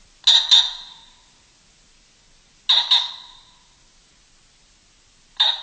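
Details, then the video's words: A common pheasant gives a harsh, loud two-note 'kork-kok' call, repeated about every two and a half seconds, with quiet between calls. "Common Pheasant Bird Call"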